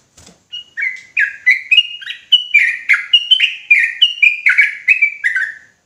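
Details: An excited sooty-headed bulbul pours out a ropelan-style volley of clear, sharp notes. They rise and dip in a fast uneven rhythm and finish with a downward slur, preceded by a brief thump.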